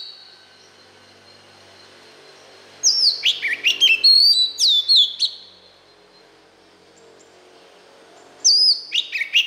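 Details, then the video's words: Song of the white-rumped shama, played so that young birds can learn it; two bursts of rich whistles with quick upward and downward slurs, a long phrase and a short one, separated by several seconds of silence. "Luyện Giọng chòe than, ép giọng chòe than, cho chim non học giọng"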